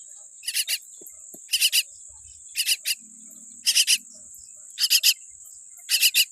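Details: Newborn common myna chick with a weak beak calls in harsh triple bursts spaced about a second apart, set against an unbroken high insect tone.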